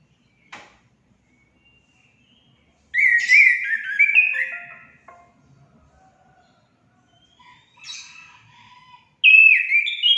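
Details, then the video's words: Orange-headed thrush singing to stimulate caged birds: a brief click, a pause, then a loud run of stepped whistled phrases, softer scattered notes, and a final bright burst of rising and falling whistles. "Langsung nyaut gacor anis kembang anda"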